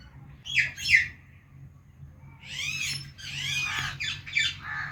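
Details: Indian ringneck parakeet, a talking pet parrot, giving loud harsh squawking chirps: two sharp calls near the start, then a run of rasping, arched screeches with a steady low hum beneath.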